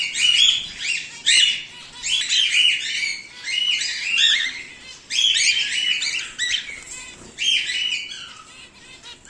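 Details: Home-bred cockatiels, including a whiteface emerald and an exhibition grey male, keep up lively chattering: rapid rasping chirps and squawks in dense phrases about every two seconds, nearly continuous throughout.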